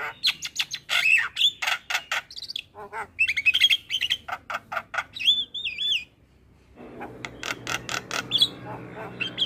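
A Javan myna pours out a rapid, varied song of harsh clicks, chattering bursts and sharp rising whistles, with a rougher, lower-pitched passage near the end.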